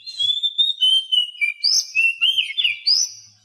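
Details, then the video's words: Oriental magpie-robin masteran for birds that won't sing: continuous warbled whistles, wavering and slurred, with a few sharp upward flicks, about three rapid notes per second. "Masteran Kacer Bisu"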